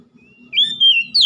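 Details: Oriental magpie-robin song intended to revive singing in a stressed bird. A faint lead-in, then a strong drawn-out whistle sliding downward, ending in a sharp rising note.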